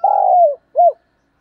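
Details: Spotted dove kept as a decoy, cooing in the morning: a long, mellow coo gliding downward, then one short arched note, then silence.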